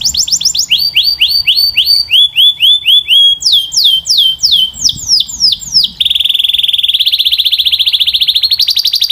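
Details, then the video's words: Powerful, clear song of a Belgian canary: groups of falling whistled sweeps repeated at shifting pitches, then a long, rapid, buzzy roll. "The Strongest Belgian Canary Singing Voice - Powerful and Clear"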